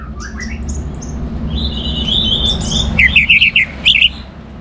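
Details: Orange-headed thrush song meant to stimulate other birds to sing: soft scattered high notes and a hissy stretch, then a run of loud, clipped, quickly repeated whistled notes.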